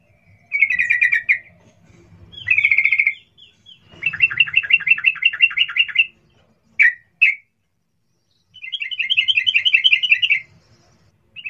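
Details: Sooty-headed bulbul 'cuk cuk' call played as a lure to draw a quick response from other bulbuls: rapid rattling chatters, including one long run of about two seconds, then two short sharp notes and another extended chattering burst.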